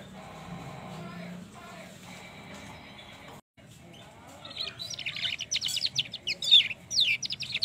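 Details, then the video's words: Young trotol canary's long rolling lure song for stimulating other canaries. A low steady hum fills the opening seconds, then rapid high trills and whistled rolls build up to the end. "pancingan kenari trotol ngerol panjang"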